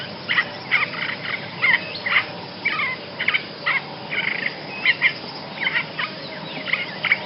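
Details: Basra reed warbler song suited to tutoring songbirds: grating, churring phrases repeated roughly twice a second, a continuous scratchy chatter with little pause and steady background hiss.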